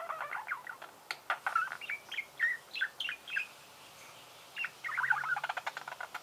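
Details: Budgerigar pet chirping in a series of short upslurred tweets and clicks, evenly spread, a short pause, then a dense burst of rapid ticks and chirps.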